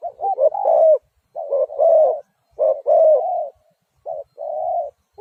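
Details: Spotted dove's drawn-out, wavering coos in phrases roughly a second long, separated by short pauses, sounding slurred and slightly overlapping.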